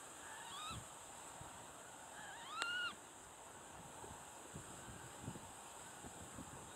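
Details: A water rail calls from vegetation along a dike in the Peizermaden wetland, De Onlanden, in November 2012: two brief squealing, nasal calls, the second longer and louder, over steady high hiss and low rumble.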